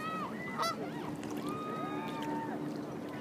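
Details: Greylag geese in Hyde Park give a run of overlapping nasal honks, some rising and falling, over a low steady hum.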